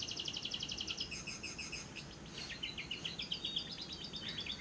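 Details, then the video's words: Lovebird lure recording for day and night with the long ngekek trill: quick, high chattering notes in running series, a brief break, then another fast rattling run. "Pancingan Suara Burung Lovebird yang pas untuk Siang dan Malam hari, masteran labet ngekek panjang"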